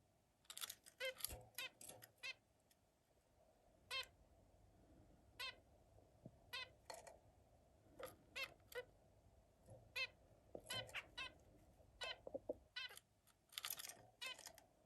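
Zebra finch giving short, nasal, buzzy notes in quick bursts, like tiny toy trumpets.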